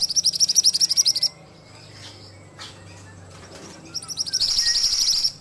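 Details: Ashy tailorbird sings a high, pulsing trill of quickly repeated notes, goes quiet apart from a few faint ticks, then rises again into a loud, dense trill; part of a recording for training cage birds.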